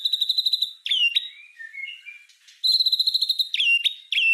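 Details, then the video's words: Tutoring song of a white-rumped shama in 'tembakan' style: a steady, rapid buzzy trill on one pitch, sharp downslurred whistles, a soft low warble, then the trill again with more slurred whistles. "Suara Masteran Murai Batu Full Tembakan Cocok Untuk Burung Pastol"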